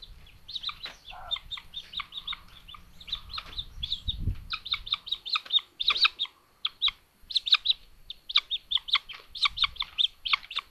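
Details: Common buzzard chicks in a Hungarian nest at Tiszalök, filmed by live nest cam in late May 2022 during sibling aggression: dense bursts of shrill, high chittering squeals with short pauses and a brief low rumble.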